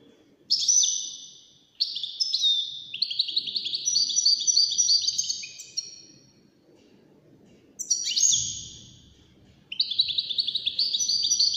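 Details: Several bursts of quick, tinkling twitter from a wild-caught European goldfinch in a song competition of five birds, each phrase lasting a few seconds with brief gaps between, buzzy trills mixed in.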